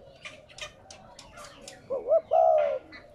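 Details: Spotted dove cooing, a lure recording meant to stimulate captive doves to coo: faint chirps early on, then a short wavering coo phrase ending in a longer, steady, slightly falling coo note.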